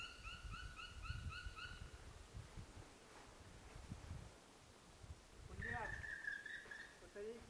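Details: European crested tit by a rock massif in the Rachey Alps on 12 March 2017, giving a quick, rolling run of short buzzy notes for about two seconds, later a drawn-out note, over low rumbling background noise.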